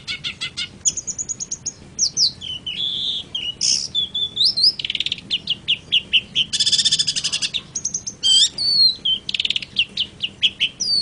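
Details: Long-tailed shrike (cendet) song: a rich, varied medley of sharp whistles, slurred notes, chattering rattles and buzzy bursts delivered in quick succession, clean and loud.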